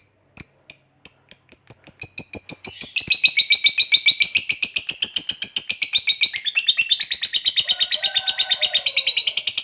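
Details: Lovebird fighter chatter used to provoke reluctant lovebirds to sing: a few spaced sharp notes, then the pace quickens into a long, continuous run of rapid, shrill, buzzy notes.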